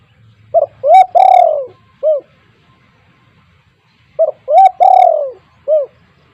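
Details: Spotted dove with a loud, strong voice, kept as a lure bird, gives two cooing phrases: a short note, a hollow coo, a long falling coo, then a short closing note, spaced about four seconds apart in quiet surroundings.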